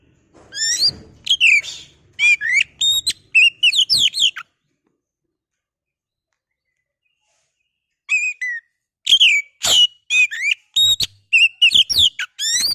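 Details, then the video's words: Caged oriental magpie-robin, locally kacer, singing to goad a rival; loud, rapid bursts of varied whistles and sweeping notes, a silent pause of several seconds, then the song resumes just as lively. "pancingan burung Kacer biar emosi mau bunyi"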